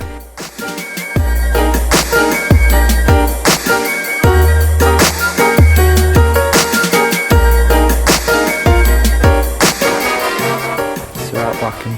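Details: Loud electronic dance music with heavy bass and a driving beat throughout; no animal sounds.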